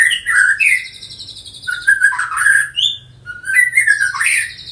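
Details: Colony-bred Medan white-rumped shama, a six-month-old captive youngster of the eighth bred generation, sings a continuous varied run of clear whistles, rapid slurred phrases and high sharp trills, rising and falling in loudness.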